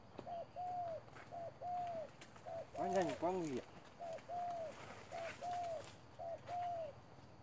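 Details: Trap decoy spotted dove cooing fast in regular short-long phrases about once a second, briefly overlapped midway by a man's voice, then continuing unbroken.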